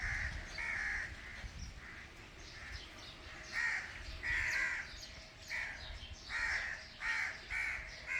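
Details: Indian ringneck parakeet calling while eating: harsh, raspy squawks in short bursts, some drawn out, coming every second or so among low background noise.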